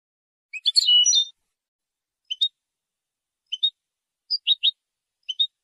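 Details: European goldfinch singing to hold territory and attract females: one dense, tinkling twitter followed by spaced pairs of short chirps, with about a second between pairs and no background sound.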